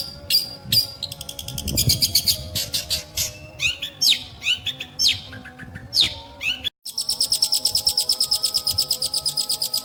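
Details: Long-tailed shrike (pentet) giving a varied medley of harsh chatter and sliding squeaks, then after a brief break a long, steady trill of rapid high chips.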